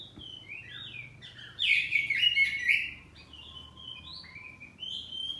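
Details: Kacer poci magpie-robin, a household bird, answering in ngeplong song. Soft whistled notes open, then a loud, harsh, richly layered phrase for about a second, followed by quieter rising whistles over a faint low hum.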